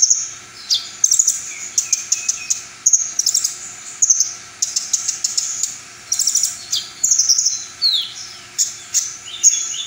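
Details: Full-repertoire singing by a brown-throated sunbird, said to set off other sunbirds. High, slurred whistles and buzzy chatter mix with lower drawn-out sliding tones and rapid clicking trills.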